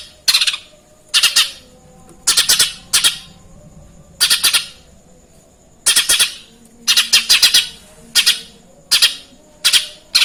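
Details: Lesser green leafbird imitating Eurasian tree sparrow calls: rough, scratchy chirps in clusters of two to four, repeated about every second, over a quiet, faint background hum.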